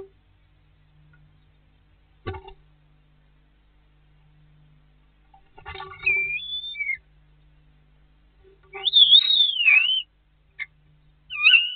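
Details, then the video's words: Common starlings squabbling over a nest site on a snowy 22 March 2019: short bursts of wheezy, slurred whistles and clicks between pauses, some rising and falling sharply, with a few dull knocks. "Скворцы опять поспорили за жилье"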